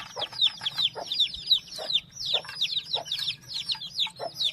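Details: Chicks produce a steady stream of shrill downward-sliding cheeps, several overlapping at once, with occasional low clucks beneath.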